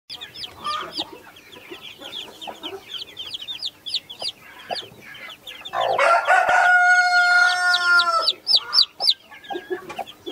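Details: Naked neck mother hen with Brahma, Australorp and Sussex baby chicks: many high, short upward chick peeps throughout, then a loud, drawn-out harmonic call for about two seconds midway, with peeping resuming afterwards.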